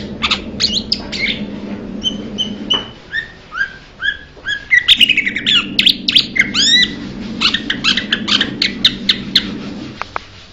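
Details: Varied call series from a Blue-winged leafbird: spaced clear whistles first, then a dense burst of sharp chips and slurred notes, tailing off into scattered ticks, with a low hum in the background.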